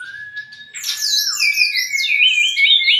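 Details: White-rumped shama song used to tutor and stimulate cage birds: a steady thin whistled tone at first, then a dense tumbling stream of rising and falling whistles.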